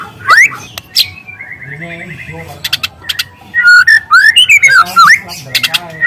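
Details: White-rumped shama in the wild, song with long, loud canary-like phrases used for luring; varied whistled notes and sweeping slurs around mid-high pitch, interspersed with rapid trills and sharp clicks, a faint low hum beneath.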